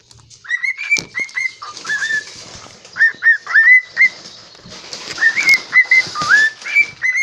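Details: Kitchen-kept pet cockatiel, thought male since it talks, whistling a series of short upslurred notes, often in pairs, separated by brief pauses, with some soft rustling behind.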